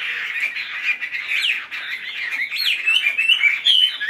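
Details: Tame, caged Chinese hwamei in Vietnam, a fully trained bird that fans its tail, singing a busy, varied warble of quick slurred notes and rising and falling whistles, with rapid phrases running together throughout.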